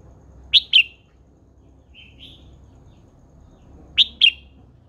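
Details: Wild-matured female red-whiskered bulbul kept as a cage bird, calling to fire up males: paired sharp, high chip notes repeated about three seconds apart, with two soft whistled notes between them over a faint hum.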